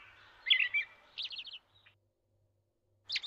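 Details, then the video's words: A robin in the snow in winter sings high, thin, warbling phrases with quick trills, falls silent, then starts another bright phrase; no other sounds are clear. "Robin in the snow and it's song"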